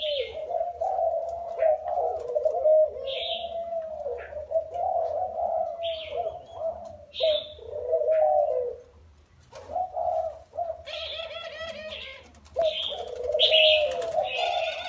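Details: Spotted dove caught from the wild and kept caged four years gives repeated low hoarse coos in phrases of a few seconds, one short gap midway, while small birds chirp and twitter at higher pitch.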